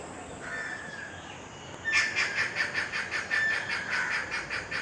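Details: Stork-billed Kingfisher recorded near a residential complex in Krishnapur (Kestopur), Kolkata. A faint drawn-out whistle is followed by a loud, harsh, rapidly repeated cackle of evenly spaced notes, several per second.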